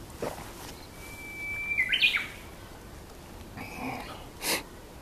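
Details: Japanese bush warbler song recorded May 30 at Aoba-no-Mori Park: a drawn-out level whistle about half a second long breaks into a short, sharp warbled flourish. Quieter rustling and distant chirps occur later.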